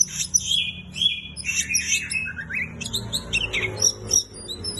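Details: Oriental magpie-robin singing hard, with long level whistles followed by chattering, buzzy phrases and fast descending notes, bright and high-pitched, with light low noise behind.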